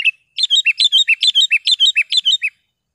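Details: Sooty-headed bulbul (kutilang) singing, for tutoring caged birds and attracting wild ones; a steady, rhythmic series of about a dozen clear, bouncing two-part chirps over two seconds, clean with no background noise.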